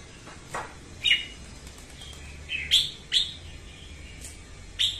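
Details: Morning singing of a female red-whiskered bulbul, used to coach birds and draw them to traps: scattered short chirped and whistled notes at irregular intervals, some sharp and clipped, over a faint hiss.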